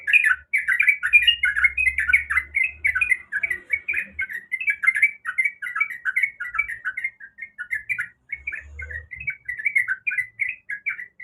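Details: Female sooty-headed bulbul in breeding condition calling to the male: a dense, continuous run of short chirpy, bubbling notes in the mid-high range with almost no pauses, faint low rumbling in the background.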